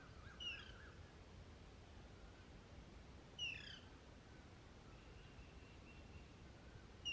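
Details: A hungry female Alexandrine parakeet calls nonstop for food from the male during the summer breeding season. Three sharp, harsh, falling squawks come roughly three seconds apart, with faint thin calls between them and constant background hiss.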